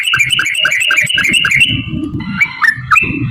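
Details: Sooty-headed bulbul in a long rapid 'ropel' song, used as a lure to set other bulbuls singing and described as a female calling a male: quick bubbly whistled notes repeated for nearly two seconds, then looser chatter over low rumbling background noise.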